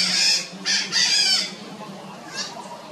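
Red-shouldered macaws give harsh, raspy screeches in quick bursts, three close together then a fainter one, over a low steady hum.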